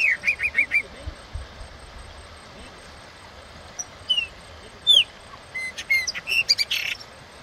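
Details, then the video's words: Wild chopi blackbird opening with a rapid series of five similar short whistles, then after a pause sporadic slurred notes and a final cluster of chirps mixed with a harsh noisy burst. "ASSUM PRETO SELVAGEM"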